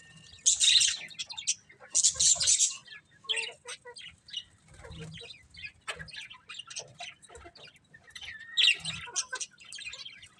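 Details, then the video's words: Chirping budgies give loud scratchy bursts separated by softer, clicking chatter, with short squeaky notes scattered throughout and a rising whistled squeak near the end. "Beautiful Colourful Budgies Chirping Sounds"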